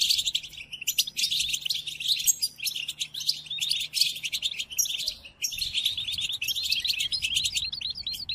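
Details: European goldfinch singing a long, continuous run of quick tinkling, chattering and squeaky notes for training captive goldfinches' song; one short break late in the phrase, then the busy twittering carries on.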